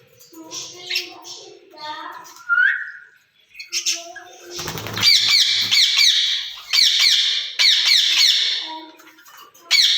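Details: Two ringneck parrots in a cage, speaking to each other in Urdu or Hindi: soft murmured notes and a rising whistle, wing flapping, then sustained bouts of loud harsh screeches.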